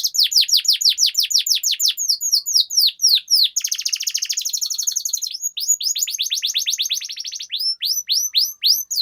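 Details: Canary master song with long rolls, meant to teach and prompt young canaries; steady strings of fast downward-sweeping notes, a dense buzzy trill in the middle, then more sweeping note series.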